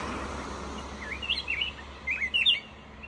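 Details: Black-crested bulbul singing short, clear warbled phrases of rising and falling slurred whistles in two bursts, over a low steady background hum.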